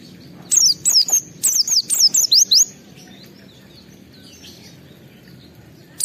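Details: Oriental white-eye kept at home, singing with full emotion to test other birds' nerve: about two seconds of rapid, high, sliding whistled notes, then near silence.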